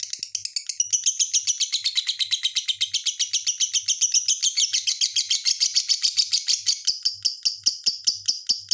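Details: Lovebird giving a fast, unbroken stream of high, shrill chirps, around two to three per second, with a buzzy, trilling texture that grows brighter and denser midway and stays loud throughout.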